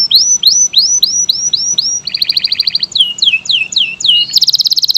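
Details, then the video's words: Canary of the local, AF or AFS type repeats looping upswept whistles, switches to a quick double-note trill, then steep down-slurred notes, and ends in a loud rapid buzzy trill. "SUARA VARIASI BURUNG KENARI GACOR JENIS LOKAL, AF, AFS"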